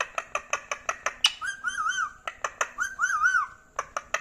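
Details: A pet rose-ringed parakeet from Pakistan or India, kept indoors and said to speak Urdu or Hindi; sharp rapid clicks repeat between two wavering, warbled whistle phrases in a small room.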